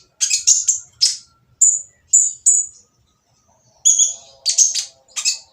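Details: Harsh purple-throated sunbird song meant to provoke others into answering. High, clipped chirps in small clusters, a couple of drawn-out whistled notes, and a buzzy doubled call near the end.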